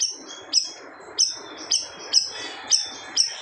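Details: Siri-siri bird in gacor form, its loud song said to silence other birds: single piercing high notes roughly every half second over a soft, broad background hiss.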